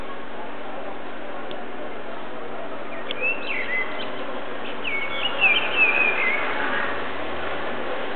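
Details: A male blackbird, unseen, sings a few soft, fluty whistled phrases at sunset in the middle of the clip, faint against a steady low rumble and hiss, then flies away at the end.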